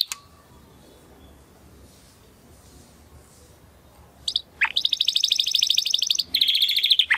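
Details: After about four seconds of near silence with faint hiss, a male Timbrado Español canary bred in 2020 bursts into training song: a swooping whistle followed by loud rapid high trills.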